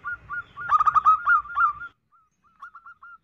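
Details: Calling female zebra dove, a lure sound for attracting males: loud, rapid, stuttering coos roll together over a low background rumble, fading into a few soft, short cooing notes after a pause.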